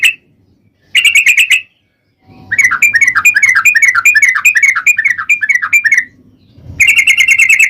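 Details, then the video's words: Sooty-headed bulbul (trucukan) singing in ropel style: rapid trilled bursts and a long run of quick, bubbly down-slurred whistles repeated about twice a second, with faint low background noise. "Burung Trucukan Ropel Garuda"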